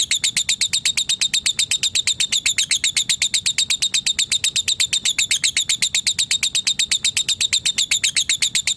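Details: Lovebird calling a rival, giving a long ngetik trill of rapid, evenly spaced, high, sharp ticking notes, about four per second, held without a break for nearly nine seconds.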